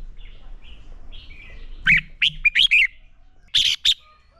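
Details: A fighting song from a red-whiskered bulbul, used for training. Soft warbled notes open the clip, then two clusters of sharp, loud chirped notes follow. Quieter whistling sounds behind them.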